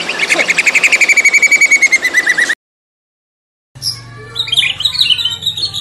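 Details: White-rumped shama, fighter type: a fast pulsing trill of about twenty notes slowly falling, then silence, then scattered high chattering notes over a low hum.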